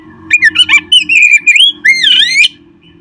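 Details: Short phrase of Oriental magpie-robin song, used to prompt caged birds to sing: a run of clear whistled notes ending in a long, sweeping, wavering whistle, over a low background hum.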